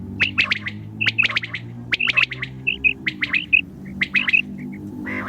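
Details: Common quail at night giving sharp, clipped liquid notes in quick bursts of three to five, repeated about once a second, with a faint low hum behind; Common quail.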